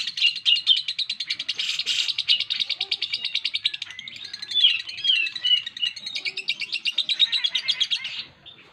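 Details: Pet lovebird in continuous fast chattering, a dense pulsed rattle of high buzzy notes repeated many times a second, with brief squeaky accents, lasting the whole clip before stopping abruptly.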